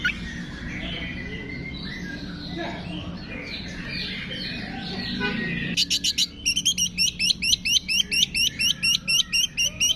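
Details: Shrike training song with imitations of cililin, fighting sparrow, lovebird, tengkek and kapas tembak: a muddled, noisy stretch of soft chatter gives way to sharp rattles and then looping high whistled notes repeated about twice per second.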